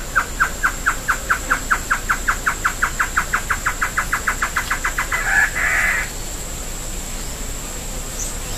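A great antshrike gives a long series of hollow hoots that speed up and end in a harsh snarl.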